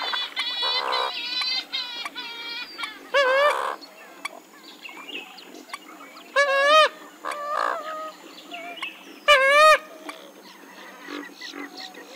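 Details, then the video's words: Western swamphen calling: loud nasal, harmonic honking notes in short bursts, some wavering and trill-like, repeated irregularly with quieter overlapping calls from other birds between them. "Western swamphen (Porphyrio porphyrio) Birds Best Call Sound"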